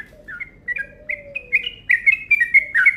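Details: Rapid lure call of a yellow-vented bulbul, 'ropel' style: chirps start spaced, then speed into a dense bright chatter, with a soft low downward-sliding tone beneath.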